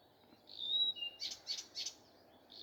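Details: Morning song of a common nightingale: a drawn-out clear whistle slipping lower, followed by three loud rasping strokes in quick succession.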